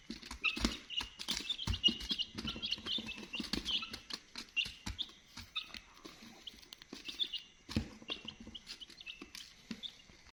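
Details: A crowd of chicks peeping, high short chirps overlapping throughout, with frequent loud knocking and tapping sounds and a brief lull near the middle.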